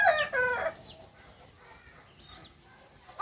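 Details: Kukuak balenggek singing chicken from Solok, West Sumatra, giving a short loud harmonic crow in two bursts during the first second, then faint high chirps of small birds over quiet background.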